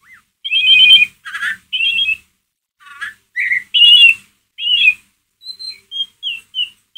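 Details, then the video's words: White-rumped shama in ngeriwik mode, a lure for provoking a pet shama: dense buzzy trilled phrases and rattles alternate quickly, then a series of short clear whistled notes at the end. "MURAI BATU PASTOL NGERIWIK COCOK BUAT PANCINGAN EMOSI MURAI ANDA"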